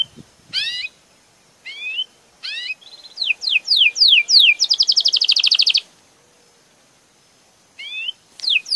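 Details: Belgian canary singing: curled whistled notes, then a run of rapid down-slurred notes speeding into a fast, even trill lasting over a second, followed by a pause and further curling notes.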